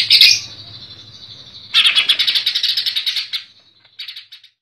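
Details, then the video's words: A greater green leafbird (cucak ijo) in a Comal, Pemalang collection opens with a sharp whistled note, then pours out a long rapid buzzy rattle of evenly repeated pulses, ending with a brief softer burst. "Cucak Ijo Gaco Besetan Rapat"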